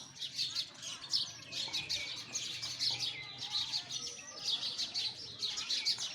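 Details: Sparrows chattering busily, a steady wash of shrill chirps rising and falling in waves, with a faint low hum in the background.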